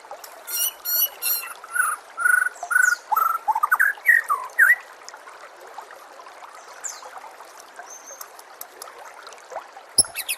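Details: Tutor recording of white-rumped shama for training caged birds: a string of loud, varied whistled notes and slurred phrases over the first five seconds, then quieter background chatter and running water.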